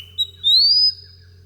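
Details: A male Southern Scrub Robin calls from close by near a cut-off log used as a song perch, in Victoria, Australia, giving a high, thin whistle: a short tick, then a longer note slurring upward, over a faint low hum.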